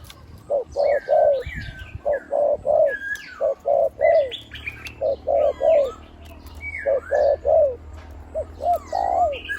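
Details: Decoy spotted dove, one-kuk type with a big voice cooing ku-ang almost constantly, delivers a long fast sequence of short low coos in threes and pairs, ending in drawn coos, while other birds whistle and chirp throughout.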